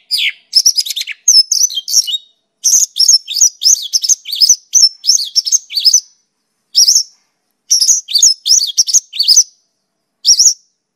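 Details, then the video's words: Mongolian lark singing a fast, jumbled run of high chirps, slurred whistles and trills in bursts with brief pauses, with no other sounds. "Suara Burung Pakling (mongolian lark)"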